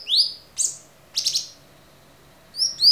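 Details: Cucak cungkok, clear tutor recording for training songbirds: a rising slurred whistle, two short rough high notes, a pause of about a second, then paired rising whistles.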